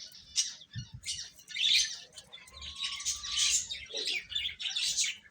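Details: Little baby chickens eating, a lively tangle of high, squeaky peeps from many birds, one longer lower whistle mid-clip, and soft thumping of beaks striking food.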